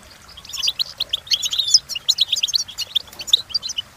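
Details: European goldfinch training song, a continuous run of rapid high twittering notes and liquid chirps, lively and tinkling throughout.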